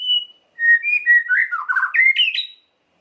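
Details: White-rumped shama (murai batu) song played as a lure to stir another shama's emotion: one clear high whistle, a short pause, then a rapid run of varied whistles dipping low before climbing to bright high notes.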